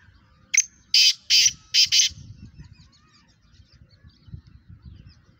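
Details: Black francolin, or kala teetar, from Pakistan, described as the fastest caller with eleven calls in one minute: a sharp series of five rasping, buzzy notes near the start, then fading low background rumble.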